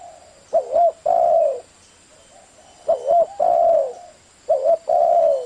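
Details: Spotted dove singing a fast thổ-style coo used to stir up wild doves. Three repeated phrases, each a quick wavering double note followed by a long, steady, mellow coo, roughly every two seconds.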